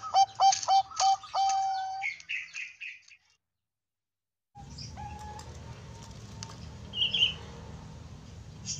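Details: A young Bangkok-type zebra dove (perkutut) gives a quick run of stuttering, mid-pitched, deep cooing notes, then a pause and a faint later call over steady background hiss.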